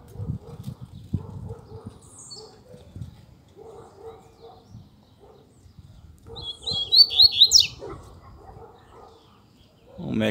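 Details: A wild Double-collared Seedeater, lured in the scrub and counter-singing with another male with a female nearby, gives a short, loud burst of quick, bright whistled and twittering notes, cutting in over a man talking and low rumble.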